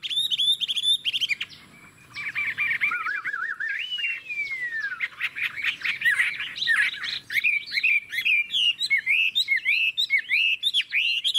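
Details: Chinese hwamei kept in a cage delivers a rich song: clear whistles, a long wavering warble sliding downward, then dense rapid chattering and looping notes.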